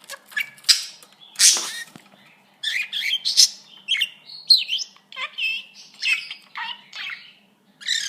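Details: A green pet budgerigar that constantly talks, saying phrases like "good boy", "give kiss" and "peekaboo", chatters in quick, scratchy bursts of warbled and squeaky notes.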